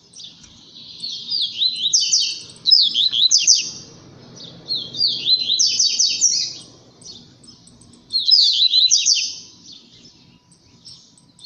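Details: A Blue-black grassquit sings strongly in competition with Collared seedeaters: high, buzzy, sliding notes in three quick bursts about every three seconds, over a faint low rumble.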